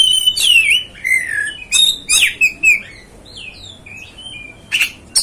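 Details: Provoking song of the Oriental magpie-robin, known locally as kacer: rich, varied whistles slurring down, interspersed with scratchy, squawking notes and brief chirps, delivered in irregular bursts with some softer, lower whistles between them.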